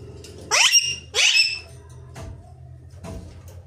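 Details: Rose-ringed parakeet, a ringneck parrot, gives two loud, harsh screeches that sweep sharply upward, about half a second apart. Quieter clicks and faint room sounds follow, with a low steady hum underneath.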